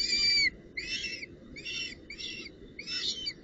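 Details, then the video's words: Female northern goshawk at the nest carrying a branch and prey, 19 June 2018: five rough, harmonic squealing bursts in quick succession, the first loudest and clearest, with rustling noise behind. "Havik V Met Tak En Prooi"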